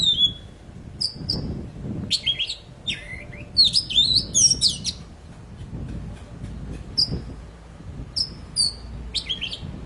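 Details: Super gacor poci singing, meant to coax silent poci back into song: clusters of shrill chirps and slurred high whistles in bursts, separated by quieter pauses with a soft low rumble.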